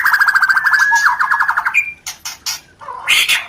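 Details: Rencetan call of a white-rumped shama, played to stir breeding desire: a rapid, rattling string of repeated notes, about three per second, followed by a thin whistle, separate sharp chips, and a harsh burst.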